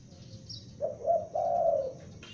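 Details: Calling young spotted dove used as a lure gives a single low phrase: two brief coos followed by a longer drawn-out note that sags at the end, with a soft background hum.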